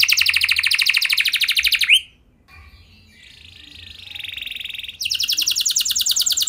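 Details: Canary song played to get other canaries singing: a long, fast, buzzy trill, a quieter stretch of soft warbling, then the rapid trill resumes.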